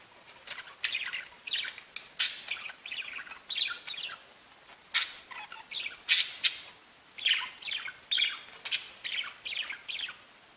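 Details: Singing budgerigars kept as pets: steady, busy chatter of clicks, buzzy notes and short whistles, with occasional sharper loud calls.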